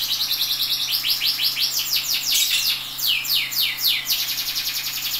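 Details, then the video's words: Canary singing a tutor song for training other canaries, a dense run of quick high sweeping notes repeated in rolling trills, speeding and slowing in turn over a low constant electrical hum. "KENARI GACOR DOR UNTUK MASTERAN KERNARI"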